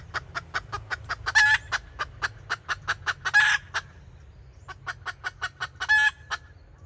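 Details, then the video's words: Decoy hen red junglefowl in kataak-style calling, recorded in 2024. Evenly spaced clipped clucks run in bursts, with three loud rasping squawks set between them; the clucks pause for a moment midway. "แม่ต่อสายกะตาก poj qaib tsauj zoo"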